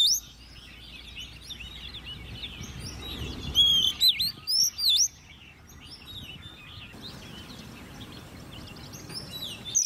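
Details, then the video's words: Hand-raised caged Oriental magpie-robin, ten months old, singing in competition. A brief burst of loud clear whistled notes, sweeping up and down, rises from a background of faint chirping and low noise. "Chú Choè Than Nuôi Non 10 Tháng Lồng Mỏ ''SIÊU DỊ'' Hót Đấu"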